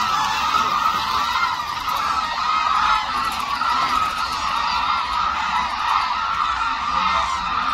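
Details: Hooded cranes wheeling in the air over the Suncheon Bay wetland in Korea, a wintering habitat. Steady massed chorus of many overlapping ringing calls throughout.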